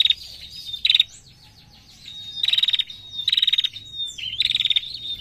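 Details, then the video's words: Narung-style calling from a vocal female prenjak (prinia): five dry, buzzing rattles, two early and three close together later, linked by a thin sustained whistle and soft chirps. "PRENJAK BETINA GACOR NARUNG MANTAP"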